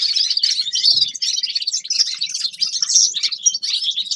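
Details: Energetic high warbling from a Grey-crowned goldfinch, a songbird: tight bursts of chirps and liquid trills running continuously, with a small low tap near the start.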